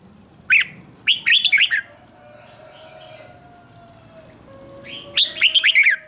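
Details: Red-whiskered bulbul in morning 'ché' training song: a single sharp note, then a rapid phrase of bright slurred whistles, a long pause over faint background hum, and another matching fast phrase.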